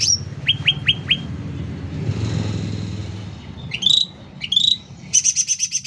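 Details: Sooty-headed bulbul singing actively at loud volume: four quick downward-slurred whistled notes, a pause, then bright rising hooked whistles and a fast buzzy run of repeated high notes, over a low engine-like rumble.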